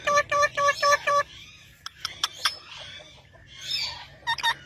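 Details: Parrot opening with four quick, evenly spaced nasal squawks with a rising hook, followed by scattered faint chirps and clicks, a soft hiss, and a final pair of short sharp calls.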